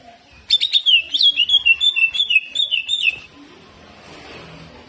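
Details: Caged greater green leafbird singing hard in the 'jamtrok' style, a rapid string of about fifteen high, buzzy, wavering whistled notes that runs nearly three seconds, then stops into soft background hiss.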